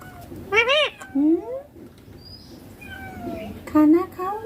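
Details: Baby ringneck parrot saying "mummy" and "papa" in Hindi: a loud arched syllable followed by a rising glide, a quieter stretch of thin tones, then another strong syllable ending in an upward slur.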